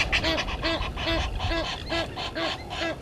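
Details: Egyptian geese at Gowrie dam waterhole on Djuma Game Reserve, Sabi Sand, South Africa, in a dispute with intruder geese; harsh, nasal honks repeated rapidly about every 0.4 seconds in a steady series, with a low rumble of background noise.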